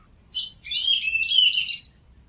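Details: Wild duck calling: a short high chirp, then a longer run of bright, squealing harmonic notes lasting about a second, over a faint low rumble.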